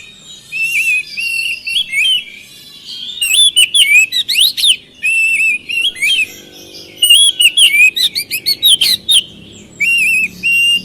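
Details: Oriental magpie-robin (kacer) singing a lively gacor bout, used to lure lazy birds into answering: loud whistled phrases, rising and falling notes with sharp chirps in bursts separated by short pauses, a faint low hum beneath.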